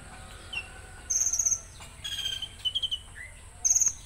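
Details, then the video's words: Konin delivering 'tembakan kasar', a coarse shot phrase. A very high rapid pulsed burst is followed by lower, harsher stuttering notes and a short rising whistle, then another high staccato burst at the end. Faint background chirping is audible. "Tembakan Kasar Konin"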